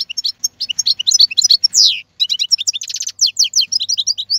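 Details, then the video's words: European goldfinch caught from the wild, 2022 season, pouring out rapid high chirps and liquid twitters, one long descending buzzy slur, then a harsh rattle and more quick notes. "اقوى مقنين خلوي - هذا الحسون الاقوى في 2022"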